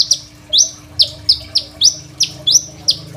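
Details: Energetic Crimson sunbird song used as a master recording to train young sunbirds, phone recording: high, strident rising sweeps repeated roughly every half second, each ending in a brief flat tone, over a faint steady electrical hum.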